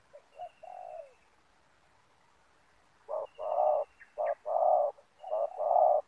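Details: Decoy spotted dove luring wild doves toward a ground snare net: one soft, falling coo phrase, a pause, then loud, rhythmic paired coos, short then long, repeated steadily about once a second.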